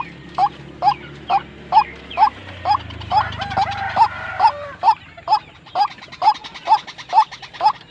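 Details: Tame but aggressive white-breasted waterhen giving a steady series of short, sharp clucking notes, about two each second, with rumbling noise and faint voices in the background.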